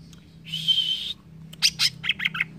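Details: Green leafbird song meant as training material for caged birds: a steady, high, sustained whistle, then a quick cluster of sharp chirps and short warbled notes.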